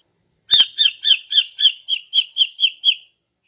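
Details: Female greater green leafbird in the morning, sung to lure males: ten bright, sharp chirps repeated at a steady quick pace, starting loud and gradually fading.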